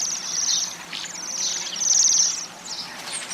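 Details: Several waxwings calling together, high sibilant trills overlapping continuously over a steady rushing background noise.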